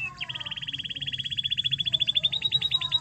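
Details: Canary song used to excite a quiet canary into singing: one long, very rapid rattling trill of evenly repeated notes that rises slightly in pitch over three seconds.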